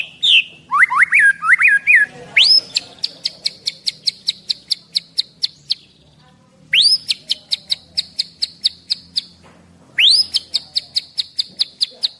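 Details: White-rumped shama from Medan, a caged male 11 months old, singing: a varied opening of rising whistles, then bursts of rapid clicking notes over a steady high tone, repeated three times with short pauses.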